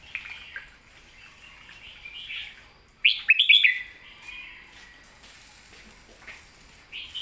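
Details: Red-whiskered bulbul 'master song': soft warbling notes lead into one loud, rich phrase of four or five fast whistled notes, followed by quieter scattered chirps over faint background hiss.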